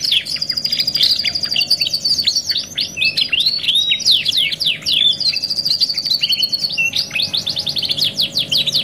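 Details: Domestic canary performing a luxury 'masteran' tutor song, 2 in 1, used as therapy: long ringing high trills broken by bursts of curling, swooping whistles, the phrases flowing without pause over a low constant hum.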